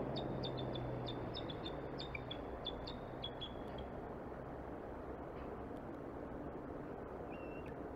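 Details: Bald eagle at Decorah, Iowa, USA, giving a thin, high chattering series of short squeaky notes for about three seconds, over steady wind-like rumble and a low hum.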